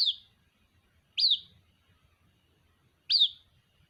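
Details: A white-breasted waterhen chick calls for its mother with three piercing, high peeps, each rising briefly then falling away, separated by quiet gaps of nearly two seconds.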